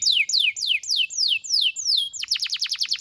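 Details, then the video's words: Canary song meant for tutoring young birds: slow, evenly spaced descending whistles, about three per second, then an abrupt switch to a quick rattling series of short sweeps. "PANCINGAN KENARI GACOR DURASI DURASI PANJANG UNTUK MASTERAN KENARI PAUD BELAJAR BUNYI DAN GACOR"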